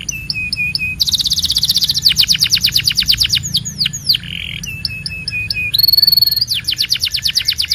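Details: Belgian canary alternating flat whistled tones with bursts of dense buzzy trills and quick descending notes, plus a short harsh squawk partway through and a high sustained whistle near the end.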